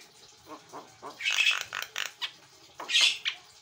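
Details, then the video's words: White-eyed Javan myna in active song from a master recording: softer rattling notes building into harsh scratchy chatter and a loud rasping screech, with a quiet background. "JALAK KEBO MATA PUTIH GACOR"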